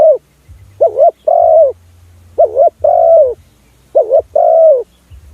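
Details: Luring call of a spotted dove for catching other doves: three evenly spaced pairs of mellow coos, each a short bouncing note and then a longer smooth note, about every one and a half seconds, with a low background drone.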